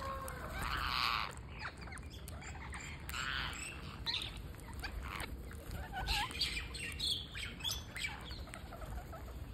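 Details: Parakeet during a feeding session on day 231, giving a loud wheezy rasping burst, then fainter scratchy calls and clicks, with a low steady hum beneath.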